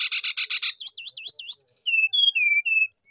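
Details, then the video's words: Brown-chested jungle flycatcher singing vigorously while calling a rival: five harsh rasping notes, then quick looping chirps, followed by clear level whistles stepping between pitches. "srdc memanggil lawan jadi gacor, sikatan rimba dada coklat gacor full isian"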